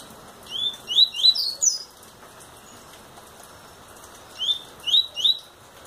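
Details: Young double-collared seedeater, eight months old and already singing a lot: two bursts of clear, rising whistled notes, four or five quick upslurs each, high-pitched, separated by about two seconds of quiet.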